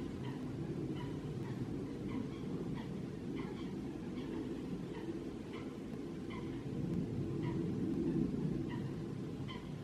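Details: A male Eurasian teal, recorded 2 March 2021, gives short, clear whistled notes, repeated about twice a second, over a steady low rumble of wind or distant traffic.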